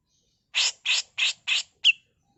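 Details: Female grey-cheeked bulbul in a harsh 'mbeset kasar' tutor song: five rasping, broadband bursts in quick succession, the last ending in a short bright whistled flick, against a silent background.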